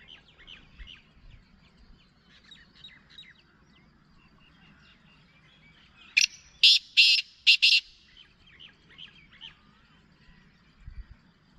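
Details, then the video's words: Black francolin (kala teetar) giving a loud, grating burst of five harsh rasping notes in quick rhythm near the middle, with soft chirps and twitters of small birds before and after. "Black partridge Ghangas Of the voice/Kala Teetar Ghangas ki awaaz /Kala Teetar ki voice"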